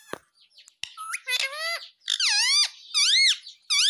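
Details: Talking Indian ringneck parakeet indoors saying "mummy papa": a few clicks and a squeak, then several loud, strongly harmonic arched syllables, each swooping up and down, delivered in a rapid speech-like sequence.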